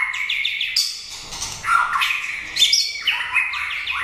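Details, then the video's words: Contest-winning white-rumped shama in a cage, delivering quick varied song: descending whistled runs, piercing high notes and scratchy chatter, continuous and loud. "Kích chòe lửa hót cực hay"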